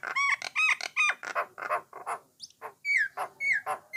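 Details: Jalak Nias or jalak coklat starling whose song is used to get other starlings singing; dense chattering harsh notes mixed with clear whistles, some sliding downward, in a fast irregular sequence.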